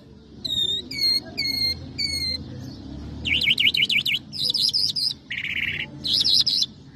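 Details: Lark singing in the style called Mashadi jal, also named Irani or Afghani jal: a varied run of clear whistled notes repeated in four quick phrases, then wavering buzzy trills and a dense rattling burst, over a low background hum.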